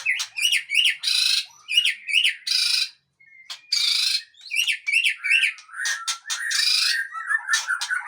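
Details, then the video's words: White-rumped shama of the long-tailed Aceh type repeating quick chattering note groups alternating with harsh buzzy bursts, a pattern recurring about every second. "Murai Aceh # Ekor Panjang"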